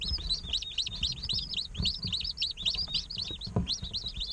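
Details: Many day-old chickens in an incubator chirp loudly and continuously, a dense stream of high, overlapping peeps several per second, with low bumps and shuffling sounds throughout.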